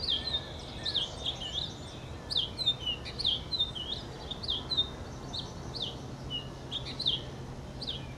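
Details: Purple finch pouring out a long, lively warble of quick, high, down-slurred notes strung closely together, with a low steady hum and background hiss.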